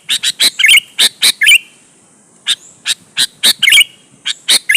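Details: Sooty-headed bulbul singing persistently as a lure to provoke rival bulbuls to answer and sing: sharp, harsh chirps in quick clusters with short downslurred notes, a second-long pause, then another burst of chirps.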